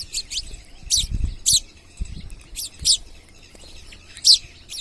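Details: Wild parrots calling near a house: grating, shrill screeches, some in quick pairs, about seven in all, with muffled low bumping sounds in the background.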